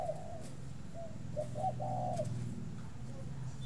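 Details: Spotted dove kept in Ba Vì, Vietnam, giving a few soft khách-style coos, short then longer notes, partly covered by a steady low machine-like hum.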